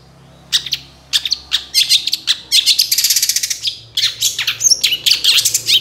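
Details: Long-tailed shrike song offered as a lure to make shrikes respond. Scattered sharp clicks build into dense, busy chattering with a fast buzzy rattle in the middle and twittering squeaks later.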